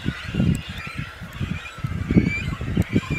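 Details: Cormorants at a nesting colony at Khetsuu Khad, Mongolia, give deep, guttural grunts and croaks in quick irregular bursts, several birds overlapping, with faint higher calls behind.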